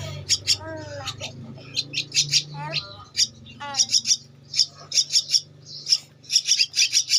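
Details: Javan myna chick, two weeks of age, being fed and begging: repeated sharp, high, scratchy chirps in uneven bursts, with brief low human speech and a background hum early on.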